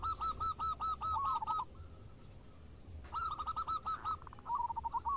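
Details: Local zebra doves singing in reply to each other: a clear run of rapid, evenly spaced coo notes ending in a trill, a pause, then another bird answering with a similar quick series.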